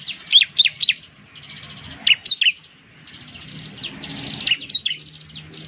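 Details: Ciblek, the bar-winged prinia of Indonesian farmland and gardens, giving several loud downward-slurred whistles between stretches of high, dry buzzing trill, with faint low background rumble.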